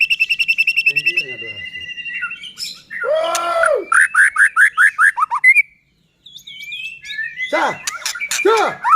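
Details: White-rumped shama in full song as a lure for other shamas: a fast chirping trill, a loud harsh arched note, a series of about eight bright repeated whistles, a short silence, then high whistles and harsh arched notes.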